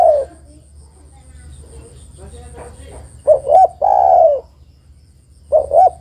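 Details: Lure call of a female spotted dove summoning a male: a few soft faint sounds, then a full phrase of two short coos and a long falling coo, followed by the start of another.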